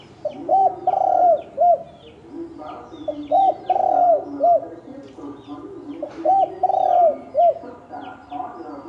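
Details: Fighting spotted doves of wild field stock give repeated low coo phrases, each a short note, a long arched coo and a closing short note, returning about every three seconds, with faint higher chirps of other birds behind.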